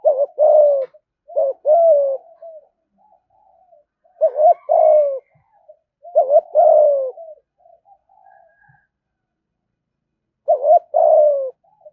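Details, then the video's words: Spotted dove cooing in the fast 'thúc gù' style, a voice said to attract wild doves quickly to the fighting perch: four low mellow phrases, each a short wavering double note and then a long falling coo, with faint soft trailing coos. "cu gáy thúc gù giọng hay hạp bổi nghe nhanh gáy nhanh về cội đấu"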